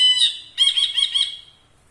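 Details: Ashy bulbul, a caged tutor bird performing in front of the camera, gives a harsh, rasping note followed after a brief pause by a rougher, wavering, buzzy phrase that fades out; quiet background.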